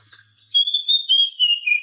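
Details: Oriental magpie-robin song, a training recording played to captive birds that are silent or reluctant to sing: after a quiet start, a sustained high whistle gives way to repeated slurred phrases that slowly fall in pitch.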